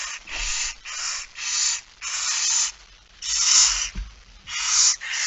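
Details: Barn owl nest, 6 September 2019 at 21:14, the male arriving with a mouse: harsh, noisy hissing screeches repeated about once a second in uneven bursts, with a few low thumps.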